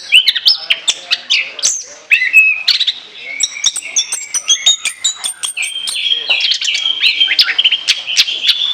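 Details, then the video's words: Orange-headed thrush in rich, rambling chattering song used as a lure, packed with rapid varied whistles, sharp chips and trilled phrases without a break. "ANIS KEMBANG NGOCEH NGEPLOOONG"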